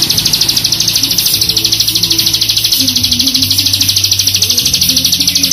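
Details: Bar-winged prinia, likely a kept songbird, giving a fast, high, dry chattering trill of steady pulses, about three per second, over a low humming tonal backing.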